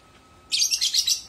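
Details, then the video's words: Sudden continuous lovebird chatter: rapid, shrill, grating syllables run together for nearly a second at a steady pace. "Kicauan burung lovebird"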